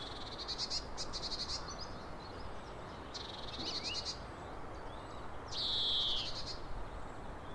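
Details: European greenfinch singing in the coastal Netherlands: short bursts of fast, buzzy trills, then a long nasal wheeze sliding downward, over a low background rumble.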